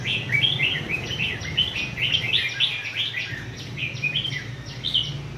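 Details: Captive red-whiskered bulbul in a cage sings continuous bright, warbling chirps and short whistled phrases, with a low steady hum underneath.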